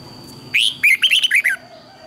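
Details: Red-whiskered bulbul singing training song meant for use as a lure to train other bulbuls: a quick burst of six or seven bright, slurred whistled notes over about one second, with a faint steady high tone behind.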